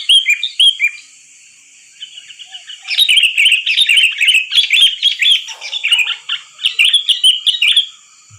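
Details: Sooty-headed bulbul lure call for trapping: a few sharp descending chirps, a quiet spell, then a long loud burst of dense, bubbling, overlapping chatter.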